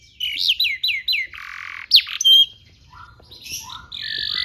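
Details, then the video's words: Canary training song for young canaries: four quick descending whistles, a short harsh buzz, a sharp upward note, then scattered softer chirps and a final sustained high buzzy phrase. "PANCINGAN KENARI GACOR DURASI PANJANG UNTUK MASTERAN KENARI PAUD BELAJAR BUNYI DAN GACOR"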